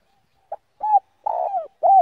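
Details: Slow 'giọng đồng' spotted dove song meant to provoke other doves: a short pip, an arched coo, a long burry falling coo, and the start of another coo.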